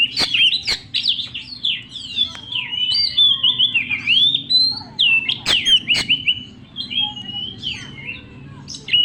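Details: Young wild-caught Oriental magpie-robin in full, loud, persistent song: a fast, near-continuous run of sweet whistles, slurred rising notes and trills, with a few sharp clicking notes and a low background hum.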